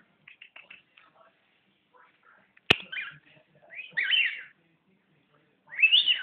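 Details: Pet bird indoors making scattered short chirps and buzzy, warbling bursts, with a sharp click early on, quiet pauses between phrases, and a final louder rising warble.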